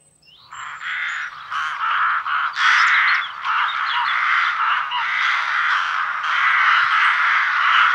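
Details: Rooks in France give harsh, grating caws that overlap into a near-continuous raucous chorus, with several birds calling at once and a faint low hum behind.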